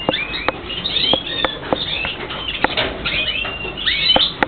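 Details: Several birds giving thin, high, sweeping chirps and twitters, some sliding upward, mixed with scattered sharp clicks and taps over a steady background hiss.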